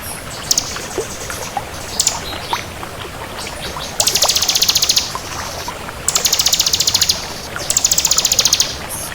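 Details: Scattered high ticks, then three long, dense, buzzing trills from a vigorously singing crystal bar-winged prinia, each lasting over a second.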